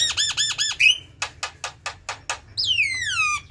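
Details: Jalak kebo, the Javan myna, singing: quick repeated looping nasal notes, a short twangy whistle, a series of harsh dry rasps, then a long whistle sliding downward, over a faint low hum.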